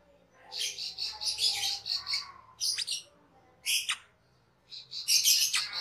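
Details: Cucak keling, a cage bird, in a master recording used for training other cage birds: harsh, buzzy bursts of chattering notes in short phrases separated by brief pauses.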